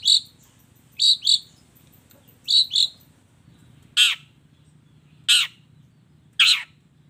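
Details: Long-tailed shrike mixing fill sounds: doubled bright chirps, then three harsh, raspy squawks about a second apart.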